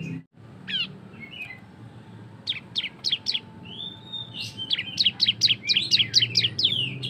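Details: Ngebren song of an ashy tailorbird (cisem), used to get other birds singing: scattered high chips and a whistled slur build into a dense, fast volley of sharp descending notes, with steady low hum beneath.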